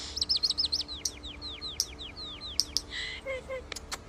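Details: European starling song: a fast run of about fifteen downslurred whistled notes, then a buzzy harsh burst, a few clicks and low squeaky notes, over faint background hum.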